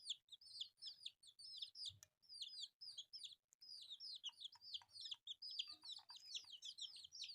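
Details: Colourful baby chicks, a group feeding on rice, peeping continuously: dense overlapping high, downward-slurred cheeps in rapid succession, with faint low pecking taps and knocks beneath.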